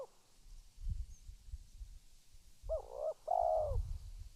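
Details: Spotted dove calling: two low, hollow cooing phrases late in the clip, the second longer and fuller. Soft rustling and low thumps are heard throughout.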